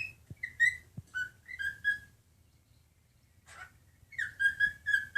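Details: A happy male silver white-faced cockatiel in rescue care whistles a melodic song of clear, gliding notes in short repeated phrases.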